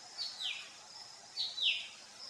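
Verditer flycatcher: two thin, high, downslurred notes about a second apart over a faint steady hiss of background.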